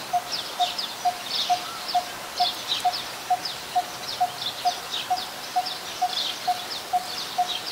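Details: Very common resident coppersmith barbet, Ubon Ratchathani, Thailand, 1 February 2020, giving a long, metronome-like run of clear, knocking 'tuk' notes, about 130 a minute, against a wash of high-pitched chirring and chirps.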